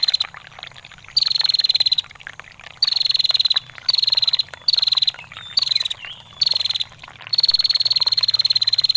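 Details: Female bar-winged prinia giving long ngetir calls, used as a training track for songbirds: rapid high buzzy trill bursts, each under a second, repeated about every second and a half over trickling water and faint hiss.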